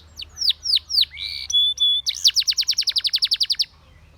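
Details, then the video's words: Training song of a Spanish Timbrado canary: three slurred downward whistles, a buzzy held note, a pure steady whistle, then a fast even trill of about twenty repeated notes ending abruptly. "The Most Powerfull Spanish Timbrado Canary Singing"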